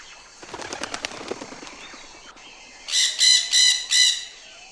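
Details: Parrot: a rapid flutter of wingbeats opens, then after a short gap come four loud, harsh, evenly spaced squawks roughly a quarter second apart, with quiet hiss behind.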